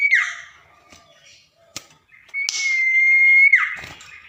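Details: Tame common iora in captivity singing actively at night, giving a dropping whistled slur, scattered soft notes, then a long steady pure whistle held for about a second that ends in a sharp downward swoop.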